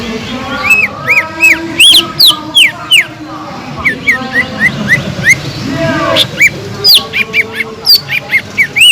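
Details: Green leafbird, a singing bird used to provoke leafbirds lacking aggression and raise breeding arousal: loud, whistled, up-slurred and arched notes in rapid, irregular bursts, with a faint background hum.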